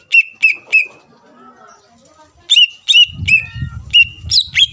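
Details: Greater green leafbird song used to goad rival birds into replying: bright whistled notes that swoop down and level off, repeated in short runs, with a gap and low rumbling handling noise in the second half.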